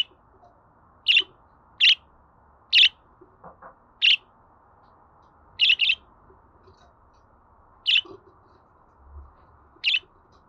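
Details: Budgerigar calling for playback to pet budgies: sharp, rasping single chirps spaced roughly a second apart, with one doubled note and a few faint lower clicks.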